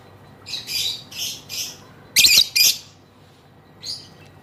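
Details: Female lovebird's extended ngekek song: three raspy squawking phrases, then two loud, harsh screeching bursts, and a softer rasping note after a short silence; shrill and gritty throughout.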